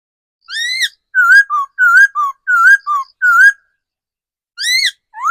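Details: Older wild decoy laughingthrush singing loud, clear whistled phrases: a rising whistle, then four paired slurred notes, each a wavy whistle followed by a lower short one, a pause, then more rising whistles. No other sounds.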